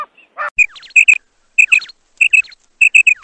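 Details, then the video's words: Female quail calling with sharp, bright double notes given in short bursts, about every half second, mixed with a few softer chirps and scratchy sounds near the start. "female quail call maadi batair ki awaz"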